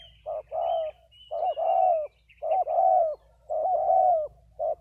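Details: Decoy spotted doves, a pair, coo loudly and steadily, each phrase a short hoot followed by a longer wavering one, repeated about once a second; faint high twittering from other birds at the start.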